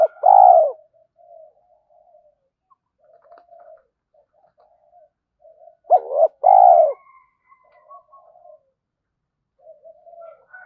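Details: Spotted dove coo used as a lure recording to train young captive doves to coo: two loud, arched, mid-pitched coos at the start and near the middle, with soft, low murmuring notes scattered between them.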